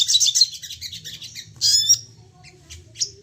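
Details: Crested jay (sogon) in an excited, call-provoking recording. Quick high chattering is followed by a short harsh burst, then a few scattered sharp notes.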